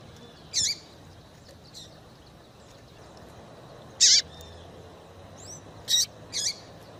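A female double-collared seedeater gives short, sharp, high chips at irregular intervals, four loud ones in seven seconds, over a quiet background.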